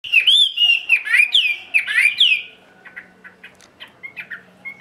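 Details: Tame caged Chinese hwamei singing solo at midday in ngũ trường style: loud, rich whistled phrases sweeping up and down, then softer clipped chirps repeated several times a second.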